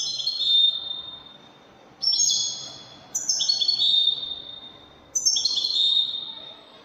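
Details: European goldfinch singing in the Moroccan 'wedani' style: three bright, tinkling twittered phrases, each opening high and then settling into a buzzy, level trill, about two seconds apart with short pauses between.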